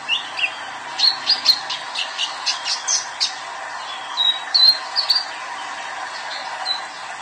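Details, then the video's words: Young male sunbird singing energetically, with high squeaky whistles and a rapid chattering series of sharp chips, then scattered thin notes over a faint steady hiss. "KOLIBRI NINJA ANAKAN JANTAN GACOR"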